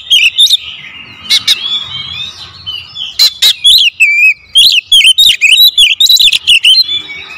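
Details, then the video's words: Magpie-robin in 'tembakan rapat' style, lure recording: quick bursts of shrill whistles, twisting notes and hard clicking snaps, growing denser and louder in the second half with only brief pauses between phrases. "PANCINGAN KACER SUPER POWER TEMBAKAN RAPAT"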